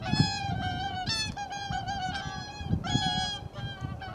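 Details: Whooper swans at Lake Tofutsu, Hokkaido, on 13 January 2021, perhaps pairs greeting each other, trade loud, brassy bugling honks, several overlapping in quick succession, over a low rumble of wind or water.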